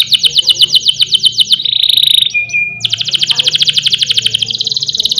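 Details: Canary singing in the rolling 'ngerol' style, meant as a master recording to train and provoke other canaries: fast, evenly pulsed high trill, then a brief steady whistled tone and a lower note, then another long rapid trill.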